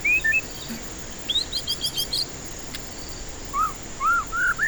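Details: White-rumped shama song used as a lure to stir stressed birds that won't sing: sparse clear whistles, a high note near the start, then arched, slurred whistles rising and falling toward the end, with brief twittering in between and a steady background hum.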